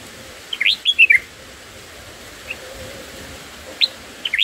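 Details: Black-headed bulbul chicks fed in their nest: a quick cluster of sharp, upward-sweeping chirps, a pause with one soft note, then two more short rising chirps at the end.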